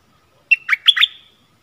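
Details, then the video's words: Stripe-throated bulbul kept as a decoy to answer wild birds, 1 April 2021. One short, bubbly phrase of four rapid, slurred notes rising and dipping, with a faint drawn-out whistle behind. "เสียงต่อนกดอกแตงEp.40 Burung merbah lekir gacor | bay hoanh hoach thom"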